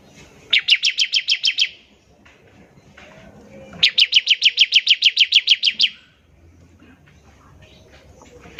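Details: Bar-winged prinia in full voice, delivering a ngebren trill meant to prompt other prinias into song: two bursts of rapid, evenly repeated high chipping notes, about eight then thirteen notes, separated by a quiet pause.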